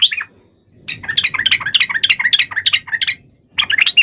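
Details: Fighting song of a yellow-vented bulbul, used to provoke rivals into answering: a short chirp, a pause, then a long burst of quick, jumbled warbling notes, another pause, and a final lively phrase.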